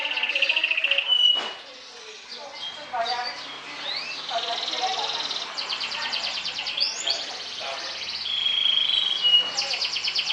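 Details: Champion Atlantic canary singing trills meant to provoke and overpower rivals: varied high twittering, rattling buzzy trills and sharp whistled notes, with a pure sustained whistle near the end and a faint background hiss.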